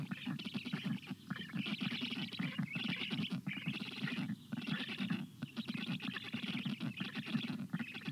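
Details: Nestling black storks beg for water in hot weather on June 25 2022, their water-begging calls differing from food begging. Rapid rasping pulses pour out almost without break, with short gaps around three and five seconds.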